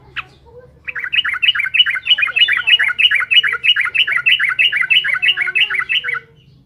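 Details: Energetic trucukan (Yellow-vented Bulbul) song meant to rile rival birds: after one sharp note, a long, steady five-second stream of about twenty bubbly, warbling notes, each quickly repeated in even rhythm.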